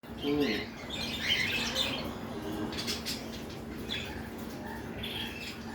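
A cockatiel fusses with short, scratchy chirps and squawks, pestering for food it wants.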